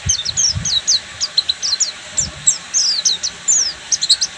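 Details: Oriental white-eye, the Buxtomi type of pleci, singing a full ngeriwik song: rapid high-pitched chirps and short descending whistled notes in quick bursts, about three notes per second, with faint low thumps underneath.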